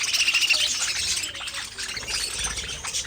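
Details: Budgerigar chatter from a pet group opens with a short clear trilled whistle, then fast scratchy chirps repeat roughly three times a second amid overlapping twittering.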